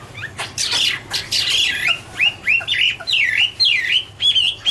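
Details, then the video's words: Chinese hwamei (Garrulax canorus) sings loud, rich phrases opening with a burst of harsh, scratchy notes and flowing into clear, slurred whistles rising and falling about twice a second. "" Autumn Love Song " Bird Garrulax canorus Singing- Birdsong"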